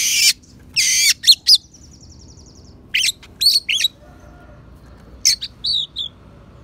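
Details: Oriental magpie-robin song with phrases imitating sparrow and prinia, used as a tutor recording: loud, high chirps and whistles with a fast buzzy trill, in short bursts separated by brief pauses, over a faint low hum.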